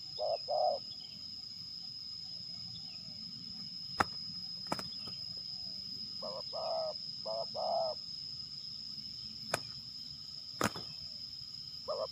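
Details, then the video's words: Lure spotted dove during a fight test in Liwa, West Lampung, Indonesia: three short bouts of paired mellow coos, a brief note and a longer burred one, separated by pauses, with sharp clicks and knocks and a steady insect whine. "TES TARUNG / Pikat Terkukur"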